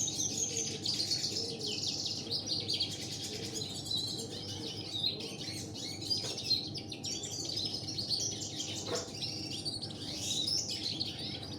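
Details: Canary with local canary mastering, alongside red siskin: long, continuous, high-pitched warbling with rapid rattling trills and bright rising notes, one sharp click near nine seconds, and a steady low hum underneath.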